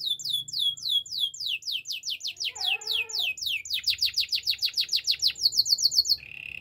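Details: Spanish Timbrado canary song for training: rapid series of descending whistled notes repeated in quick trills, a brief lower warbled phrase midway, then fast rising-falling note runs ending on a short steady buzz.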